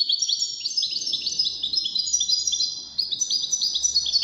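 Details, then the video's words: Wild-caught European goldfinch, one of five in a song contest, delivering a continuous rapid stream of high, twittering, slightly buzzy notes with quick trills and chips throughout, without a break. "مسابقة افضل تغاريد 5 حساسين ويدانية"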